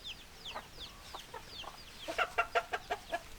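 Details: Hens clucking: a few high chirps at first, then a run of loud, throaty clucks repeated about three times a second near the end.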